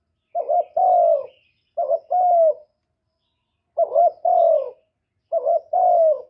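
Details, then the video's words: Spotted dove luring coo aimed at rousing other doves. Four mellow phrases, each a quick stuttered pair of notes followed by a longer falling hoot, are spaced unevenly with one longer pause. "CU ĐẤT GÁY GỌI CHIÊU GÙ"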